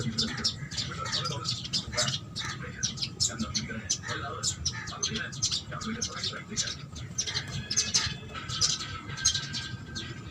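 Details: House sparrows at food give a steady stream of short, bright chirps, several birds overlapping in quick succession, with low voices murmuring in the background.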